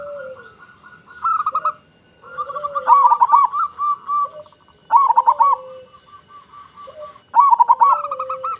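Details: Actively singing local zebra dove used to lure others: repeated rolling, bubbling coo phrases every two to three seconds, overlapping with lower, drawn-out coos from other doves.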